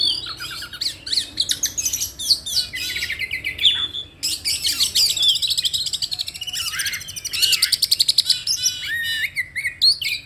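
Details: Oriental magpie-robin; lure song; provoking other magpie-robins into singing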